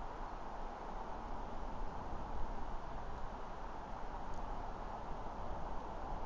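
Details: Steady broadband rushing noise, strongest in the low range, with no calls or other distinct sounds standing out.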